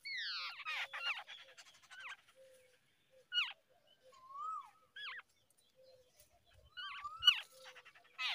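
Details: Early-morning babblers feeding babies: scattered nasal, wavering calls that slide up and down, with an opening burst of harsh chatter, then separate whining notes and a few soft low thumps.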